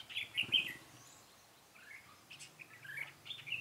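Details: Red-whiskered bulbul recorded during bird trapping on 13 March 2017: bright, warbled phrases of quick slurred notes, a loud burst at the start, then softer phrases after a pause, with a faint low hum beneath.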